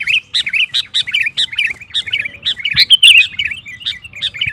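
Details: Sooty-headed bulbul (kutilang) singing energetically to stir rivals into singing: dense, steady series of bright chirped notes with bubbly warbled flourishes, one louder sharp phrase midway.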